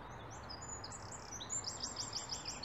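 Winter wren: very high, thin notes sliding about, then a fast run of sharp repeated ticks, several per second, over a soft background hiss.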